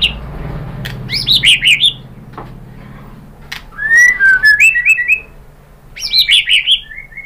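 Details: White-rumped shama song for stimulating other birds to sing: bursts of rapid, high, warbling trills alternating with mellow whistled slurs, the trilled bursts returning after each quieter gap.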